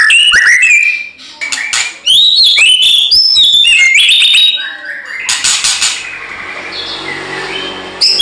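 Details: White-rumped shama singing aggressively as a provoking lure: rapid run of bright rising whistles and scratchy clicks for about five seconds, then a harsher noisy wash fading out.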